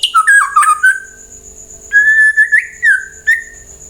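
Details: White-rumped shama song used as a lure to make other birds reply and sing: clear whistled notes around mid pitch, a bright slurred phrase then longer level whistles with short rising flicks, separated by brief pauses, steady faint background hum.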